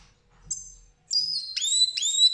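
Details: Goldfinch recorded 8 June 2019, giving a short high note followed by sustained bright whistles with sharp twangy starts, high-pitched and clear against near silence.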